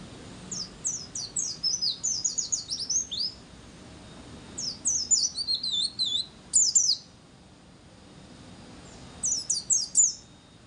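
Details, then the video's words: White-eye song used as a lure to get other white-eyes singing, high thin chirping phrases in quick descending runs, three bursts separated by pauses. "Pleci nembak zipper, wir wit, sambung ngecir,Pas banget buat memancing Bunyi burung pleci Bahan"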